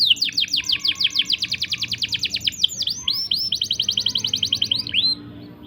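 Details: Canary rolling song meant as a master song for young or stalled birds: fast pulsing trill of crisp notes, broken by a few swooping whistles, then another quick roll.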